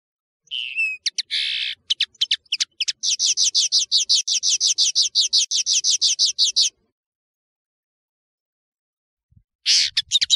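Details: European serin, called nino in Algeria and kamatcho in Morocco, singing a fast jingling song of rapid high buzzy notes repeated about three per second for several seconds, then a pause and a fresh burst.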